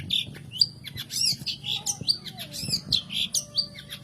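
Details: Long-tailed shrike, known locally as cendet or pentet, played as a lure to prompt reluctant caged birds to sing: rapid chattering series of sharp high notes and short rising whistles, about forty bursts a minute, over low steady hum.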